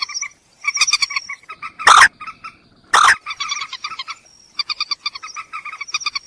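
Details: Common moorhen calls from a recording meant for luring birds at night: bursts of croaky, harmonic clucks, with two loud hoarse notes near the middle and rapid chattering pulses before and after.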